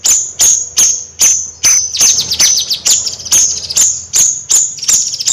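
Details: Bayeman bird chattering in gacor nyrecet fashion: rapid, piercing high chirps about two or three per second, some notes sliding down in quick trills.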